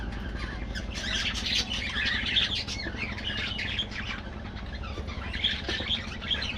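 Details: Colony of budgerigars in an aviary, continuous soft warbling with brighter chirps standing out, steady background noise.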